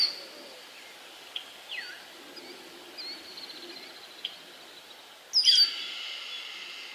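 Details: A single Red-tailed Hawk calling from a tree in spring, near Bemus Point. The recordist thinks it is calling out that people are there. One hoarse, harsh scream slurs downward at the end, with faint chirps and thin whistles of small birds.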